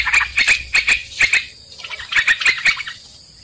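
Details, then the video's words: Sooty-headed bulbul lure for trapping: a few bursts of bubbly chattering notes separated by quiet gaps, with scattered clicks and a steady thin high whine, ending on a sudden sharp knock. "Pikat trucukan"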